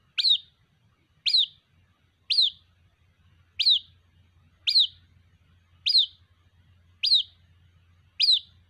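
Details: White-breasted waterhen chick calling its mother with eight piercing high chirps, each rising briefly then dropping, spaced roughly one to one and a half seconds apart over a soft low hum.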